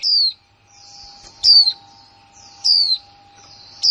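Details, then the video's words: Female white-eye, a new bird in 2020, giving quick 'líu' notes: four bright, high, falling whistles a little over a second apart, with soft high chatter between and a low steady hum. "khuyên mái kick mộc là líu , khuyên mái mới 2020"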